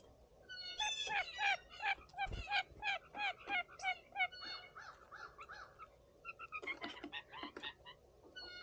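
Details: Three blue jays on a spring Sunday morning, among a flock of other birds, give harsh, nasal jeer calls in fast bursts of about three per second, then a short pause and more calls, with other birds faint behind.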